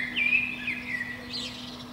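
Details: Eurasian blackbird singing from the top of a pine beneath a window on a spring morning: one clear fluted whistle, gliding slightly downward, then a thin, high twittering flourish, over a steady low electrical hum.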